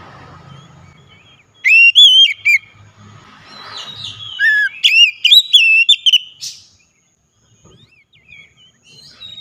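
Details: Oriental magpie-robin loud song played as a lure for a bird that will not sing: two bursts of bright, warbled whistles with a rising sweep, then near silence with faint distant chirps.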